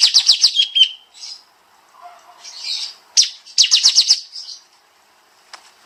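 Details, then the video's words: Kapas tembak bulbul master song in dense 'nembak' style for tutoring songbirds: fast strings of high staccato notes ending in a short whistle, scattered softer chirps and a faint low murmur, then another rapid burst. "Masteran Burung Kapas Tembak Suara Rapat Nembak Nembak"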